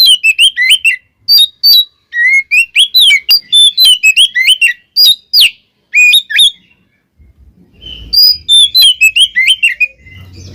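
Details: Singing Oriental magpie-robin, a recording meant to provoke rival magpie-robins: a long run of varied whistles, sharp chirps and twisting slurred notes delivered in fast bursts, a brief gap, then more chattering phrases over soft low background noise.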